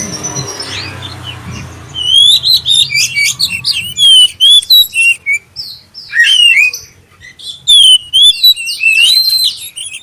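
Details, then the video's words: Black-chested oriental magpie-robin giving a lure song meant to prompt other magpie-robins to sing: after two seconds of low rumbling background, a rapid run of clear whistled notes, rising and falling slurs, and buzzy chips fills the rest. "suara pancingan kacer dada hitam suara jernih"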